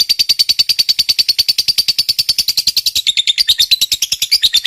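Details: Long ngekek song of a lovebird fighter, a lure to make other lovebirds answer: continuous fast harsh chatter, about eight notes per second, dropping slightly in pitch after three seconds.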